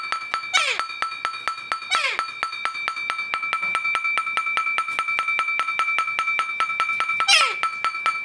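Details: Pet Alexandrine parakeet reacting as her bowl is tapped, giving three harsh, downward-sweeping squawks over a steady rapid tapping and faint music.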